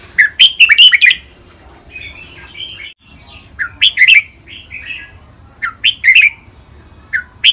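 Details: Caged red-whiskered bulbuls, two males matched against each other in a training recording, singing Thai contest-style song: loud bursts of rich, slurred whistled notes, then softer warbled phrases, repeated in uneven groups over a low steady background hum.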